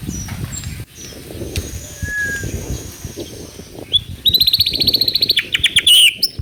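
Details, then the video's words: White-rumped shama song played as a lure to make a young speckled (trotol) bird sing readily: after faint background noise, a fast high rattling trill of rapid evenly spaced notes runs for about two seconds, ending in a sharp note. "PANCINGAN MURAI BATU TROTOL AGAR CEPAT BUNYI GACOR BONGKAR MATERI"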